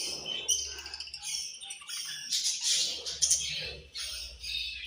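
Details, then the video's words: Pet budgerigars eating and chirping angrily; a continuous chatter of high, grating chirps and short squawks with a steady low hum and soft knocking beneath. "Budgies Eating And Angry Chirping Sounds"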